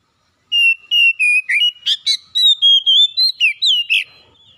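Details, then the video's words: Clear song of an Oriental magpie-robin (kacer): after a moment of silence, a fast, steady chain of loud whistles, several dropping in pitch, broken by two short harsh rasps, lasting about three and a half seconds. "SEKALI ON KACER RUMAHAN MACET BUNYI LANGSUNG GACOR"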